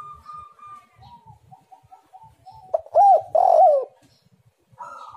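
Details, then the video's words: Spotted dove song used as a lure to get other doves singing: faint, soft notes give way to a loud burst of low, arched, mellow cooing notes near the middle, followed by a steady tone at the end. "tekukur super gacor suara indah sekali, untuk pancingan"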